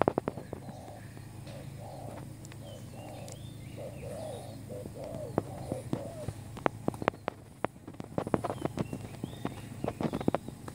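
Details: Decoy spotted dove, a new bird used to lure others for trapping, repeating low mellow coo phrases for about six seconds, then sharp clicks and knocks with a constant low hum behind.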